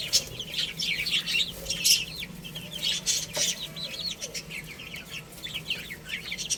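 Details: Several baby chicks playing and eating, chirping constantly with thin, high, downward-sweeping peeps that overlap, plus occasional sharp pecking taps.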